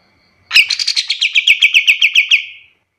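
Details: Song of a white-shouldered triller used for tutoring other songbirds: an abrupt buzzy onset, then about fourteen rapid, regular chirping notes that weaken toward the end.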